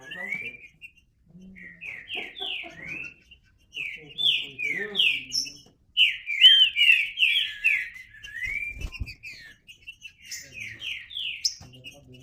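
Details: Green-winged saltator pouring out quick runs of downward-slurred whistled notes in several phrases, with a few soft low sounds and a brief knock in between.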